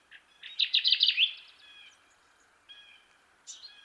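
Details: Kirtland's warbler, the jack pine warbler of Michigan, singing a loud, rapid burst of low-pitched chips that speed up and build into an emphatic ringing phrase, followed by softer, thin high notes from other distant birds.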